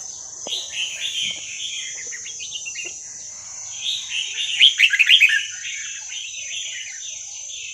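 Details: Song of a wild Vietnamese red-whiskered bulbul, played for young birds to learn from: continuous bubbly warbling phrases that swell into a louder, rapid chattering flourish midway, with a constant high-pitched hum behind.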